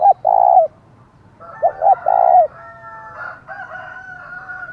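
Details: Thúc call of a decoy spotted dove, the thổ voice style, used to provoke wild rivals: two short notes and a long throaty coo, repeated, then overlapped by steady drawn-out tonal calls from another bird.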